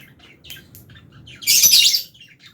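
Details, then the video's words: Fischer's lovebirds and albino lovebirds feeding in an aviary; a few faint high chirps, then one loud harsh chirping burst lasting about half a second. "Lovebirds Chirping Sounds"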